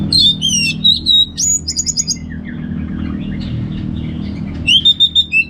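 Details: North Bali anis merah (orange-headed thrush) singing ngeplong: strong falling and level whistles, a fast stuttered trill, softer warbled notes in the middle, then renewed loud whistles over a low hum.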